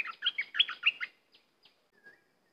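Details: Cream-vented bulbul song: a rapid, liquid phrase of six or seven warbled notes that jump between low and high pitch, lasting about one second, then a few faint distant chips.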